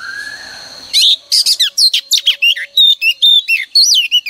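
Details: Morning song of a female oriental magpie-robin meant to trigger male singing: a soft low whistle, then a steady string of loud sharp chirps and short slurred notes.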